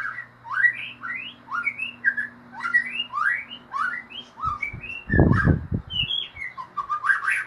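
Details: White-rumped shama singing a ngeriwik song: rapid, varied rising whistled notes in a continuous chattering stream, with a short low knocking thump partway through and a faint background hum.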